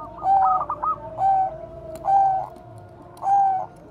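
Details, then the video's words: Bangkok zebra dove, perkutut used as a training lure, opens with a rapid rolling trill then gives three even coos spaced about a second apart; steady low hum underneath. "perkutut BANGKOK BEKUR KOAR-KOAR bagus untuk PANCINGAN PERKUTUT"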